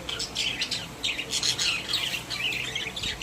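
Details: Happy pet budgies kept together in a cage: a continuous, rapid warble of scratchy chirps, clicks and squeaks, bright and high-pitched, running without pause for a few seconds in a small indoor room.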